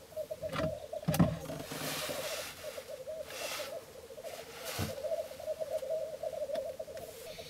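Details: Black grouse lek at Filsartrusket in Florarna, three males displaying at dawn, 17 April 2013: continuous low rolling, bubbling coos, cut by several sharp broadband bursts of flutter or rustle.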